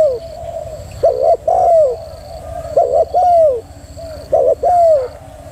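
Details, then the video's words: Repeated phrases from a female spotted dove, each a quick doubled coo followed by a long coo that slides downward, given three times at a steady pace of roughly one phrase every two seconds. "chim cu gáy mái thúc gù cực hay"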